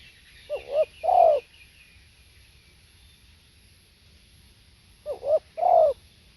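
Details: Spotted dove cooing: two short low coo phrases, each a quick wavering double note then a longer rounded coo, with a long quiet pause between the phrases.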